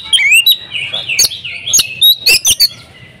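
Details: Female Oriental magpie-robin calling to a male: a rising whistled slur, a short buzzy trill, then a quick series of loud, sharp chirps and clicks near the end.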